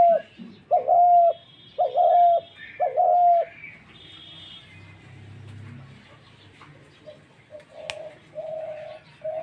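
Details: Dove calling in the 'mair dak' style: three loud, round, mellow coos at the start, then a quieter stretch with faint chirps, then softer repeated coos near the end.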